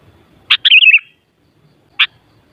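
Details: Sooty-headed bulbul, used to stir up other bulbuls so they sing back. A sharp single note leads into a quick, bubbly, warbled phrase of wavering notes, then a pause and one more sharp note.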